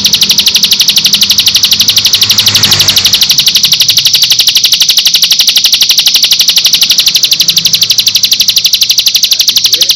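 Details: Bar-winged Prinia song used as a lure to make other birds answer, a long training recording with five-second pauses. Dense, high, buzzy trill of very rapid evenly spaced notes, continuous throughout, with a brief low murmur near the middle.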